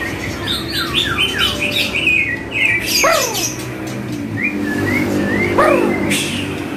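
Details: Song of the white-rumped shama (murai batu) in a training track: quick descending whistled notes in series, two loud sweeping downslurs, then rising whistles and a final burst.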